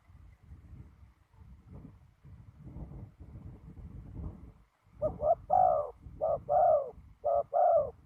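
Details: Ground decoy spotted dove during trapping in strong wind. Several seconds of low rumbling noise, then three loud paired coos in quick succession, each a clipped note followed by a longer sliding purr.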